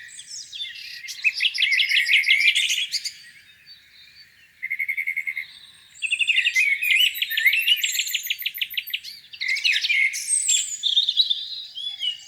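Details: Several birds sing at a lake on a spring morning: loud bursts of rapid repeated notes and warbling trills, separated by brief quieter pauses.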